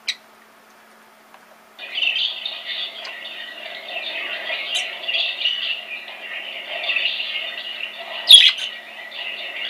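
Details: A budgerigar chatters at another budgie shown on a screen, in a steady, scratchy warble of quick squeaks and trills with no pauses; budgerigar.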